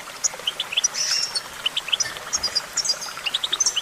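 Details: Goldfinch giving spaced, bright tinkling notes and brief twitters, some in quick pairs and triplets, over a soft hiss.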